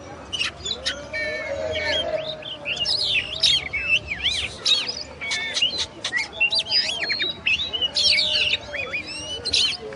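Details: Oriental magpie-robin, known locally as kacer, pouring out a long varied song of sharp clicks, looping whistles and rapid sweeps, other similar chirps overlapping, faint low rumble in background.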